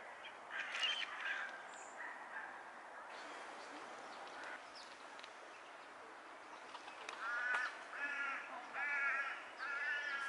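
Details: Mallards during a courtship display: scattered harsh calls early on, then bursts of rough, nasal, quacking notes repeated in quick series over the last three seconds, with faint background noise.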